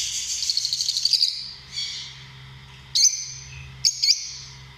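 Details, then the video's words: Lovebird giving a rapid string of high squeaky chirps, then a soft rising note and two sharp, shrill ringing calls about a second apart; faint hum beneath. "Amazing sound of love birds"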